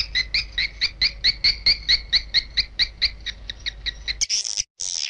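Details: Edible-nest swiftlet lure sound for swiftlet houses: a steady run of sharp two-toned chirps, about two each second, lasting four seconds, then two short harsh noisy bursts.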